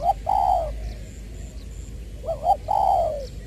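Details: Trà Vinh decoy spotted dove in 'giọng tiểu' voice, 22 February 2021: a long, smooth, falling croon, a pause, then a quavering double coo and another drawn-out descending note.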